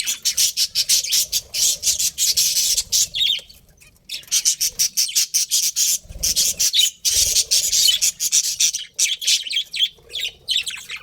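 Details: Budgerigars give long runs of fast, rasping chatter and squeaky chirps, pulsing almost continuously, with one pause around the middle and faint thumps below.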